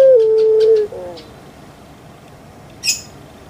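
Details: Kept puter pelung dove from Java, Indonesia: one steady, held mid-pitched coo lasting under a second, dropping slightly at its end, then quiet with a faint chirp from another bird.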